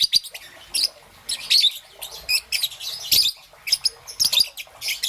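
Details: Morning chirps of a young peach-faced lovebird, green and yellow: piercing short squeaks and scratchy twitters repeated in quick uneven groups, with occasional faint clicks.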